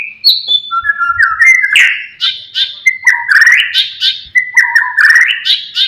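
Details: White-rumped shama song used to provoke rival birds: rich whistled phrases climbing from low to high notes, repeated in similar sequences about every one and a half seconds, ending in buzzy chattering bursts.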